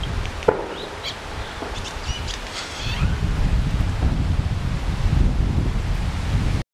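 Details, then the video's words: Steller's jay giving a soft whisper song: faint, scratchy chirps and thin whistles in the first few seconds, then mostly buried under rumbling wind. "Steller's Jay whisper song"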